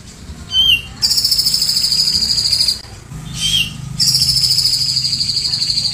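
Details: Master-bird recording of a grey-cheeked bulbul in 'tembakan cililin' song: short rising whistled notes, each followed by an extended high, rapidly pulsed buzzing trill lasting two to three seconds, the pattern given twice.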